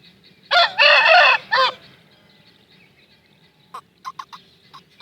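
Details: Aseel cockerel giving a full crow: a short note, then a long buzzy harmonic stretch and a falling final syllable. Quiet pause follows, then a few scattered sharp clucks or clicks.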